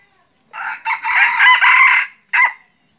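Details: A male red junglefowl kept as a decoy crows once: a harsh, broken phrase of several hoarse notes over about a second and a half, ending in a short clipped note.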